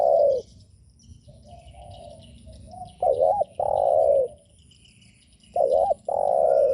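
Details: Spotted dove cooing used to provoke other doves: long coos alternating with quick wavering double notes, repeated about every three seconds, softer distant coos and faint chirps of other birds between.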